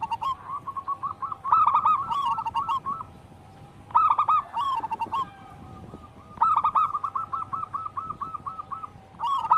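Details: Zebra dove of local wild stock in full song: three separate bursts of fast, bubbling coo notes, each a rolling trill-like phrase, separated by short pauses.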